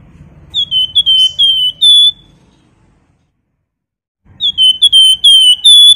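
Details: Flamboyan bird in nyiul style, used to provoke birds to sing: two phrases of fast, piercing whistled notes a few seconds apart, each ending on a drawn-out bright tone, over a soft low rumble.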